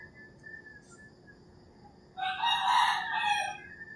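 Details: Dawn in the Philippine countryside: after soft distant calls, a nearby rooster bursts into a loud, rough crow of about one and a half seconds.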